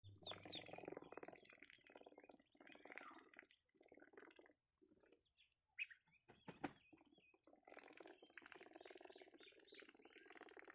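Ducks feeding: busy wet dabbling and splashing mixed with high, thin peeping chirps that come and go throughout, with a short quieter break in the middle.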